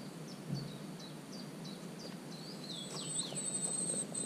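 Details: Common cuckoo chick in a marsh warbler nest, filmed on 27 June: thin, high, downslurred notes repeated about three times a second, turning into longer sweeping squeals near the end, over steady low background hiss.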